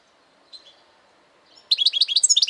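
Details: A couple of soft high notes, then a sudden loud burst of rapid, tinkling goldfinch twitters repeated in quick succession.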